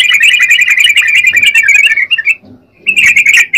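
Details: Yellow-vented bulbul (trucukan) in energetic song: a rapid, buzzy stream of chattering notes for about two seconds, a brief pause, then the quick chatter resumes; soft low background noise.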